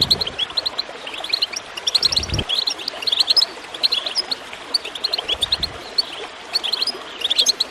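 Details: Goldfinch song set against trickling, gurgling water to coax birds into singing: clusters of sharp, sweet chirps and tinkling trills, the water murmuring constantly behind them.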